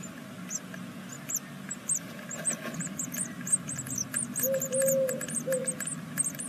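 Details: Sixth-day great tit nestlings of a second brood in a Hungarian nest at Veszprém give a quick run of high, thin chevron-shaped begging notes, with a low, steady hooting tone entering near the end.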